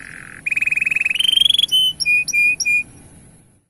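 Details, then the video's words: Canary song of the gacor type, used to prompt male canaries to sing: a low flat whistle, then a rising buzzy trill, ending in four clear, evenly spaced whistled notes. "Asli Gacor Panjang Bikin Menaikan Birahi Kenari Jantan Untuk Buka Suara"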